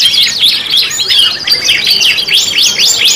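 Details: Canaries in a five-in-one 'pancingan' lure song mix: loud, bright sweeping notes and fast buzzy trills repeated in quick bursts without a break.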